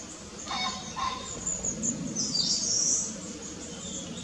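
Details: Fledgling long-tailed tit, just out of the nest, foraging restlessly among high and low trees; thin, very high calls in short bursts and streaks, with a few lower chirps early on.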